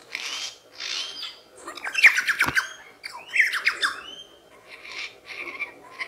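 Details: Mimetic lyrebird producing loud, harsh squawking phrases with stacked ringing overtones, broken by a sharp crack and followed by softer whistled and buzzy notes.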